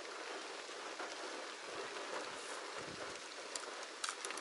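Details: Steady rain patters over the whole recording, with a few faint high clicks and no clear animal voice.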